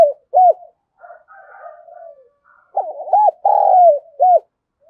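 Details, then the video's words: Decoy spotted dove in 'giọng thổ' voice, calling and urging-cooing to attract wild birds; an arched opening note, a stretch of low murmuring, then a burst of rapid hooked notes, a long buzzy coo and a closing arched note, background quiet. "Chim Cu Mồi Thúc Gù + Gáy Gọi"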